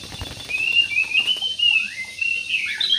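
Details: Budgerigars in an aviary produce a steady, whistled warble with gliding high notes and rapid chirps throughout.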